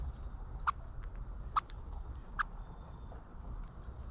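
A cardinal gives sharp, clicky chip notes, about four spaced roughly a second apart, over a low, steady background rumble.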